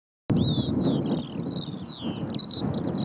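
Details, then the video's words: Eurasian skylark singing in flight over Brandon Heath: a continuous, rapid stream of high warbled and trilled notes with quick slurred twitters, over steady low rumbling background noise. "Skylark in flight & singing beautifully on Brandon Heath"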